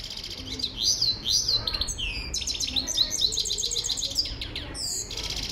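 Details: Himalayan goldfinch singing a rapid, twittering song of high, quick-slurred notes and trills, phrases tumbling one into the next with short buzzy bits, over a low steady hum.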